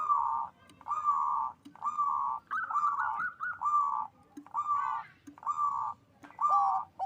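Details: Local zebra dove with a big voice, singing vigorously, played to raise mating drive; broad cooing notes near one pitch, each about half a second, repeated roughly once a second, with a brief higher rising phrase midway.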